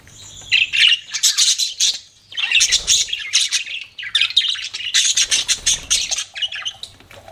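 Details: Pet parakeets keep up a rapid, raspy chirping, clusters of buzzy, crackling notes in four main bursts with brief silences between them.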